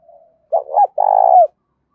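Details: Close spotted dove in giọng thổ voice with a touch of đồng: a faint lead-in note, then a short throaty double coo and a long, loud, purring coo that drops at the end.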